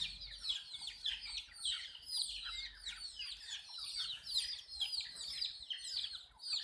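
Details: Many desi chicks drinking water peep without pause, shrill falling cheeps stacked densely and rising and falling in loudness, over a faint low background rumble.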